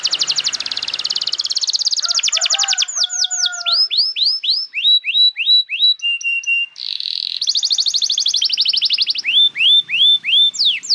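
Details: Extended canary song for tutoring young birds and getting silent canaries singing again: buzzy trills, lower gliding tones, rows of rising and falling swoops, a steady piping note, and more rapid rolls.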